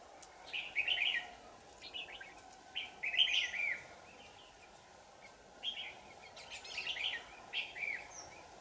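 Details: Red-whiskered bulbul at a trapping site on 4 January 2018, delivering short warbled, chirpy phrases in bursts of about a second separated by pauses, over a steady background hum.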